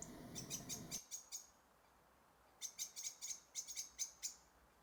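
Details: Goldcrest, two birds, in a frozen local forest on a cold winter morning: two bursts of very high, thin, sharp notes, each run of five to eight quick calls, separated by a short pause, over faint background hiss.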